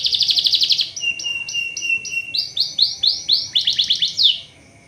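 A canary sings a fast, bright trill, then a run of about ten repeated high swooping notes, ending in quick rising chirps.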